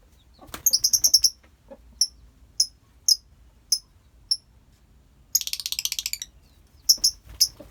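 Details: Lovebirds in a colony: a quick stutter of shrill pulses, single sharp chirps about every half second, then a buzzy rattling burst of rapid notes and two more chirps.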